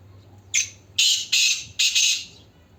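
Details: Black francolins, called kala teetar, giving a harsh, grating call of four loud, rasping bursts, each rising in force then tailing off, the last two longest and close together.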